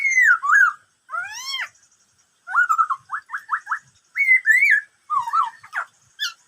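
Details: Black-throated laughingthrush song in the "bắt cô trói cột" style, among many varied sounds: rich falling whistles, a steeply rising sweep, a rapid run of five short notes, then more looping whistled phrases with brief pauses between them.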